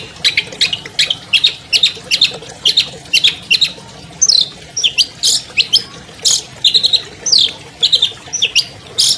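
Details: Albino long-tailed shrike, a 2020 champion bird, singing as a lure to set silent captive shrikes singing: harsh, scratchy squawking notes in quick bursts, with a buzzy rising chatter in the middle.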